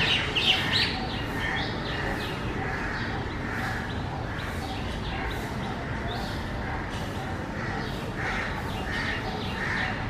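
Common myna giving harsh, croaking calls mixed with a few higher squeaky notes, repeated in uneven bursts over steady background noise.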